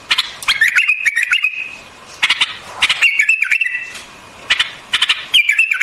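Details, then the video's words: White-eared bulbul delivering brief, lilting phrases of rolling whistles that dip and level off, each preceded by a sharp clicking tap, repeated about every two seconds. "Singing of White-Eared BULBUL, The beautiful sound of White-eared bulbul, صوت البلبل أبيض الأذنين"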